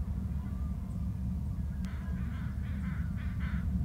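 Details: Eagle arriving from the strait calls on landing, giving a quick series of about six rasping, chattering notes over a heavy low background rumble.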